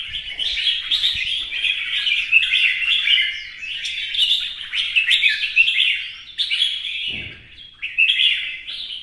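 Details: Caged red-whiskered bulbul in fresh new plumage, singing in competition while dancing with spread feathers: dense run of bubbly, warbled phrases with quick rising and falling whistles, repeated almost without pause, one brief low thump near the end.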